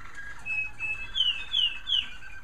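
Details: Bred American Singer canaries in a bird room in the darker evening, crooning softly: sustained whistled tones followed by three gliding slurred notes, with a faint steady hum beneath.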